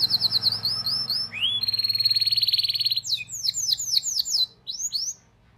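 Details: Canary singing a tutor song meant to prompt young birds: a quick run of high chirps, then a dense buzzy roll lasting over a second, followed by bright downslurred whistles repeated several times.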